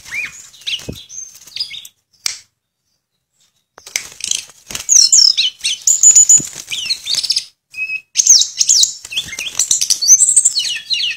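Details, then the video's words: A Sunda blue robin, a species known to mimic other birds, sings in full voice: a fast, varied run of high, fluting and chattering phrases in bursts, with brief pauses. "Burung Tledekan Gacor Suara Nyuling Muntahin Isian"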